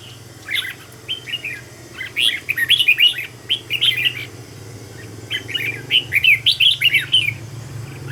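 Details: Red-whiskered bulbul decoy bird in song training, meant to sing fast and tense; clusters of bright, bubbling whistled notes in two bursts, over a steady low hum in the background.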